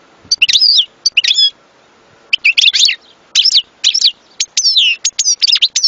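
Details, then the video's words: European goldfinch song: repeated bright, tinkling phrases of rising and falling slurred whistles and chirps, delivered in quick bursts with brief pauses between them. "صوت حسون لن تنساه طوال عمرك"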